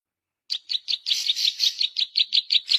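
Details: Zitting cisticola song, used as a lure for trapping and as a tutor recording: after a brief silence, a string of sharp, high chirps with a denser, buzzier burst in the middle, then evenly spaced chirps again.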